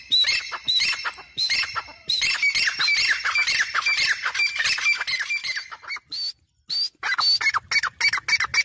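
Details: Grey francolin, locally called teetar, giving a rapid series of shrill, grating squawks in fast repeated phrases, a brief pause, then sharper separate high notes resuming toward the end.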